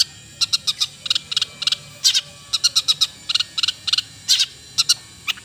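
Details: Long-tailed shrike (cendet) delivering a steady series of harsh, buzzy chatter notes in rapid clusters, with one thinner, higher note closing the phrase.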